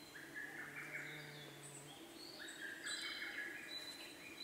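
A male Siberian blue robin sings quick, bright chirping phrases mixed with thin, very high notes. Other birdsong overlaps, and a low hum is heard at first.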